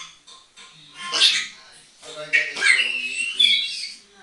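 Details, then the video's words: A pet African grey parrot talking away and having a laugh, a continuous run of speech-like babble with breathy, hissing syllables and rising tones. "haveing fun talking whisting away"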